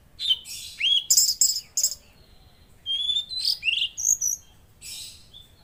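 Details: Velvet-fronted Nuthatch in active song, delivering rapid high whistles and sharp chips, including rising and falling slurs, in two bursts separated by a short pause.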